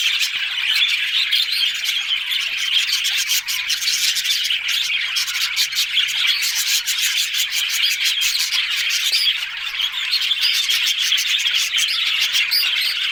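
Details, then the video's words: Long stretch of lively budgerigar chatter, many birds producing fast rasping chirps and warbles in an unbroken, evenly loud background wash. "Talking Budgies parrot"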